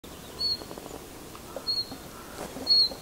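Three short, high 'hweet' notes from a common chiffchaff, each slightly upslurred, spaced about a second apart over a faint hiss of outdoor background noise.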